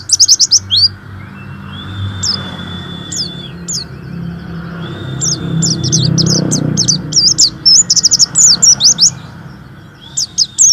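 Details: Warbling white-eye kept as a singer to encourage others, starting with sparse high chirps, then a rapid chattering run of thin, sharp notes; low rumbling background noise and faint long whistles.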